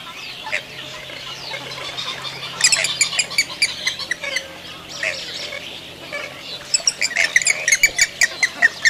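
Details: Grey-headed swamphen calling: after a quiet start, bursts of harsh, clicking squawks and rapid cackling notes come in two loose series with a pause between them, over a faint low hum.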